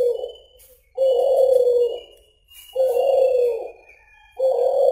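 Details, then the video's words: Suhu or kulhu pigeon cooing gacor, drawn-out hollow coos near one second long repeated every one and a half seconds, smooth and even in pitch, with a faint high tone in the background. "SUARA BURUNG SUHU/KULHU GACOR DOR TAK KOWOR KOWOR"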